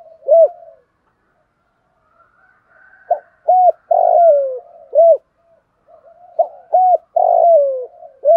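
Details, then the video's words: Decoy spotted dove calling to lure other doves: one short coo, a pause, then two full phrases of brief hooting coos and a long rough coo sliding down, recorded close with a quiet background. "chim cu gáy mồi gáy gọi/ tiếng chim cu gáy kích bổi nhanh nổi"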